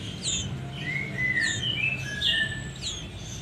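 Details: Sooty-headed bulbul nestlings. Thin, high whistled chirps, some sliding downward and some held level, overlap one another through the clip. Steady low rumbling noise runs throughout.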